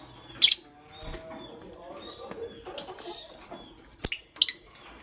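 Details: Pastel gray and green lovebirds in the morning giving one strident chirp early, quiet murmuring twitters in between, then two sharp chirps near the end.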